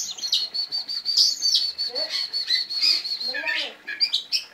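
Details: Oriental magpie-robin in lively song: a long steady series of rapid, even high notes like a ringing trill, broken by sweeping whistles, with a brief lower warbling phrase near the end.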